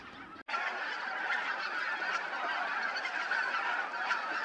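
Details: Large flock of about 2000 geese, mainly greater white-fronted and bean geese, gathering for the night in late autumn at a Polish bird reserve; dense, continuous overlapping honking and cackling after a brief quiet start.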